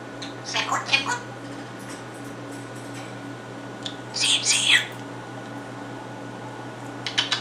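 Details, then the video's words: Captive male African grey parrot at home, copying sounds from first-person shooter games: clusters of broad, noisy bursts like gunshot imitations at the start, middle and end, with a low room hum throughout. "Parrot (African grey) shoots owner with a SHOTGUN!"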